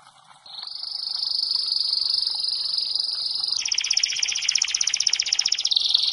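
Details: Canary (Serinus canaria) training song: a long, steady, high sustained trill that shifts into a rougher, lower-pitched rattling roll, with faint background hiss.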